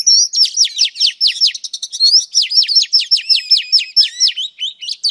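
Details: Female oriental magpie-robin singing to rouse males: a fast steady train of sharp down-slurred chips, about five per second, with occasional higher whistles woven in.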